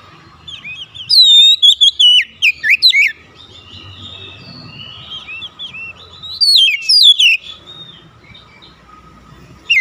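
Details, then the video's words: Oriental magpie-robins calling and answering one another. A rapid run of loud, varied whistled notes, rising and falling, is followed after a pause by a shorter burst. Quieter background warbling continues throughout. "KACER MEMANGGIL KAWAN | KACER LAIN LANGSUNG RESPON GACOR"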